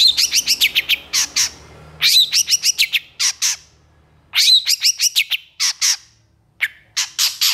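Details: Long-tailed shrike singing, a loud bird described as in full lively song: rapid bursts of harsh, scratchy chattering notes repeated in quick series with short pauses, mostly high-pitched, with a faint low hum beneath.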